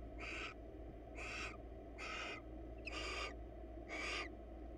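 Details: Pair of wild barn owls preening each other's feathers inside a nest box; five loud, rough hissing bursts repeated roughly once a second, each about half a second long, above a low steady hum.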